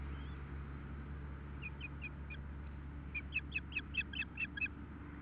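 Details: Osprey at a nest 2 km west of Nelson, British Columbia, during the first feeding at 4:08 pm on 12 June 2014: a few short high chirps, then a quicker run of about eight sharp whistled peeps over steady low background rumble.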